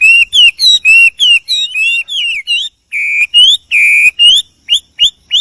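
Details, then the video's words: Male hwamei (wambi) in the wild singing to call a female: loud, clear whistled notes in quick runs, some rising, some flat and sustained, repeated about three times per second with brief pauses, no other sounds audible. "Wambi Gacor Ngerol di alam liar,Suara alam variasi merdu"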